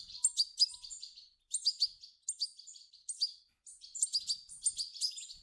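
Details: European goldfinch nestlings calling for food, played to set off an adult's singing; clusters of piercing, chattering chirps broken by brief silences, several rapid notes per burst.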